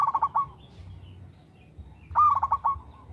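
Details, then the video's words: A local zebra dove sings regularly, recorded as a prompting song for other doves. The end of one phrase of rapid fluttering coos is followed by a full phrase: a rising opening note, then broken, bubbling hoots. "TERATUR PERKUTUT LOKAL GACOR SUARA TERATUR PANCINGAN TERBAIK"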